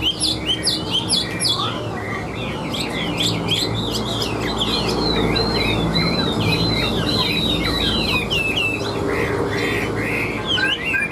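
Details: Chinese hwamei, a wild-caught cage bird, with sharp rapid chips at first, then a long sequence of bright, bouncing whistled notes with swoops and trills, steady low background hum.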